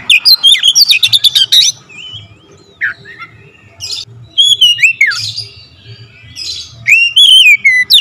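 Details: Oriental magpie-robin (kacer) singing actively in dense, rapid-fire bursts with full varied fill-in phrases: quick high chirp runs, then clear rising and falling whistles and slurred notes, with short pauses and a faint low hum behind.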